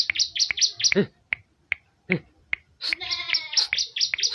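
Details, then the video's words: Ciblek, or bar-winged prinia, singing rapid runs of high, thin chirping notes, broken by sharp clicks and snaps, then a dense burst of chirps layered over a harmonic, nasal sound. "BURUNG CIBLEK Mu bakal ..langsung ikutan bunyi"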